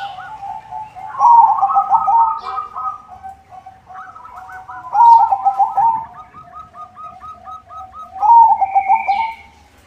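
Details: White zebra dove (perkutut putih), a caged songbird used to lure other zebra doves, delivers three loud rolling cooing phrases about three seconds apart, each trailing into softer rapid repeated coo notes; a high chirp near the end.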